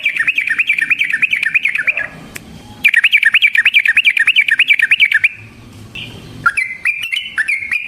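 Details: Sooty-headed bulbul in long rolling 'gacor ropel' song used as a trapping lure to make other bulbuls respond; two long, fast, evenly rippling trills, each about two seconds, followed by varied whistled phrases.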